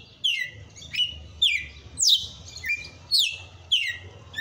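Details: Breeder's red-cowled cardinal in forceful açoite song, bright slurred whistles falling and then flattening, about six phrases in quick irregular succession over a low background hum.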